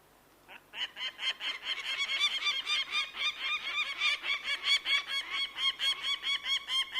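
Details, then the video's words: Bird of prey calling in a fast, continuous series of rasping, ringing notes that rise in volume after a quiet opening and stay strong to the end. "The Sound of a Bird of prey"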